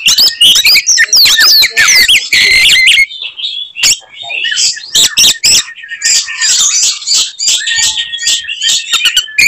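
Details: Oriental magpie-robin (kacer) in fighting mode, singing its typical 'tembakan' phrases meant to enrage other magpie-robins. Loud, dense, rapid whistles, slurred notes and harsh chatter for three seconds, a brief lull, then more jerky varied phrases. Heavily distorted recording.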